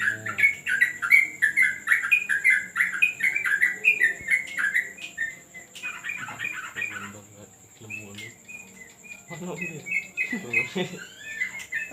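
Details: During a terrace training session a yellow-vented bulbul sings long, fast streams of gurgling chirps, then breaks into looser, sharper notes mixed with low voices and soft knocks, a thin high tone running throughout.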